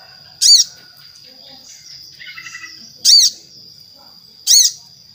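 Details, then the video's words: Crimson sunbird (sogon) repeating loud, abrupt high calls every one and a half seconds, used to coax other sogon to sing, with a soft twittering passage between the first two calls and a steady thin background tone. "Suara Sogon Gacor - Sogon Ijoan, Trotol, Macet Pasti Langsung Nyaut"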